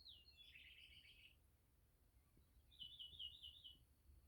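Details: A grackle on a country pond property gives two harsh, squeaky high bursts, each about a second long and roughly two seconds apart, over a low rumble, with a mockingbird singing in the background.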